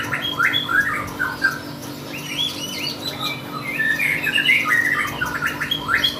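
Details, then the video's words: Lovebird contest song, busy twittering of short chirps and squeaks at moderate volume, continuous and varied, with a steady background hum. "Burung love bird gacor kontes"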